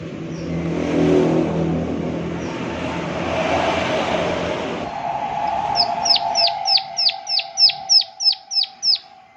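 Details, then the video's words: Prinia 'klik klik' call in a natural setting: several seconds of broad rushing background noise, then a brisk, even series of ten high, sharply falling click notes near the end. A steady low hum runs underneath. "Prenjak Klik Klik Gacor Suara Alam"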